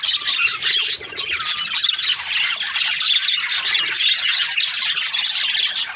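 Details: Budgerigars chattering in chorus, Australian parrots: rapid overlapping squeaks, rasps and whistled chirps, dipping briefly near the first second before resuming.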